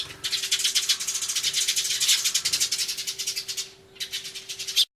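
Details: Sparrows in an agitated commotion, recorded 24 March 2013 on an Everio camcorder with a turtle dove present: a dense, rattling chatter of fast harsh pulses running for nearly four seconds, a short lull, then another burst before abruptly stopping.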